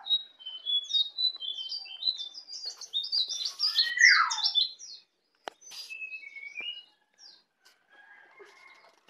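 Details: Bali-born white-eye, a young bird practising its ngeplong singing: a fast tumbling run of high, sharp twittered notes for several seconds, one lower downward slur in the middle, then softer scattered chirps fading out.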